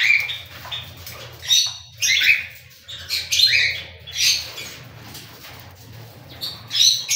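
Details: Loud, grating cockatiel squawks and rising chirps arrive in bursts about every second or two, separated by brief quieter gaps with faint chatter.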